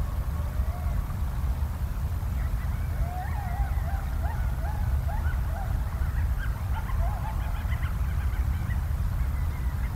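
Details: Bald eagles at their nest in Southwest Florida on 25 November 2022, picked up by a live nest camera: a series of thin, high chirping and chittering notes over a steady low wind rumble.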